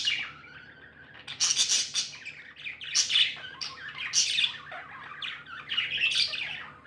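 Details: Pet budgies sounding happy give a run of squawky chirps and high warbles, starting softly and growing into loud, scratchy bursts of chatter.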